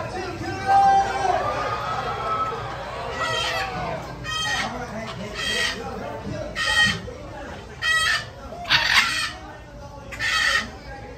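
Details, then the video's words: Blue-and-yellow and red-and-green macaws, said to be speaking; opening seconds hold softer voice-like sounds, then loud harsh raspy squawks burst out roughly once a second, each short and noisy, over a low murmur of background sound. "Beautiful Blue & Yellow and Red & Green Macaw Birds Speak!"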